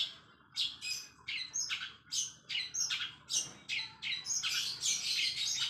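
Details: Long-tailed shrike singing in the 'isian greja' style, a song filled with house sparrow phrases, used as a lure to prompt other shrikes to sing: harsh, buzzy chirp bursts repeated about three per second, uneven in rhythm.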